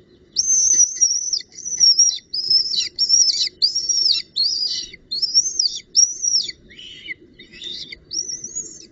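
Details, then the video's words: Northern goshawk at the nest with a branch and prey on 19 June 2018: a series of high, arched, piercing calls, about thirteen in nine seconds, with short gaps between them and faint low background rumble. "Havik V Met Tak En Prooi"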